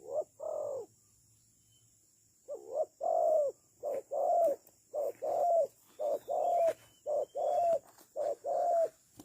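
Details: Spotted dove, known locally as tekukur or cu gáy, used as a decoy bird for trapping; a series of short mellow coos around 500–700, repeated at a steady pace after a brief opening pair and a pause.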